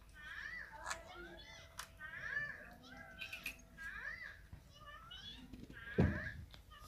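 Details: Green ringneck parakeet indoors during play and feeding produces a series of warbling, speech-like phrases with sliding harmonic tones, ending with a loud knock or thud.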